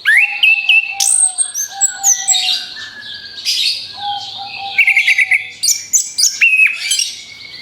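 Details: Orange-headed thrush song used as a lure: sustained whistled notes with bright stepped high phrases and chattering mixed in, varied and continuous over several seconds.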